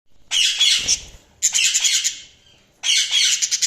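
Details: Budgerigars chirping: three dense bursts of harsh, squawky, high-pitched chatter, each about a second long with short quiet gaps between, the second burst trailing off into softer twittering.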